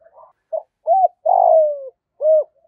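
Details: Decoy spotted dove in the "giọng thổ" style, cooing to call in wild and tame doves: a few soft short coos, then a long falling coo and one rounded final note, in a quiet place.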